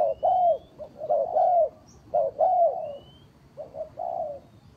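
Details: Decoy spotted dove calling for bird trapping: soft, throaty coo phrases, a short note followed by a longer sagging croo, repeating roughly every second, with a brief distant high whistle in the background.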